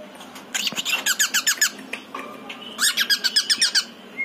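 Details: Pied male cockatiel kept as a pet indoors, calling its partner: two bursts of rapid, sharp harmonic chirps, roughly four per second, separated by a short quiet gap.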